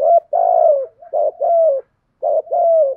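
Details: Cooing of male and female spotted doves used to stimulate wild doves and train decoys. Three close two-part phrases, each a short rough note then a long mellow coo that drops in pitch.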